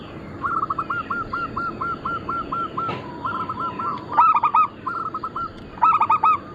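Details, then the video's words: Several crossbred local and Bangkok zebra doves singing: a long, evenly spaced series of short coos, then louder stuttering bursts of rolling notes from nearer birds. "Perkutut lokal gacor - Pintar Mengundang Bunyi semua jenis burung kutut Lokal bangkok crossing"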